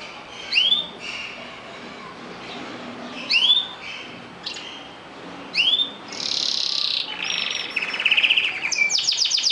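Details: Singing canaries: a bright rising whistled phrase repeated about every three seconds, then a loud buzzy burst and fast rolling trills of high repeated notes toward the end.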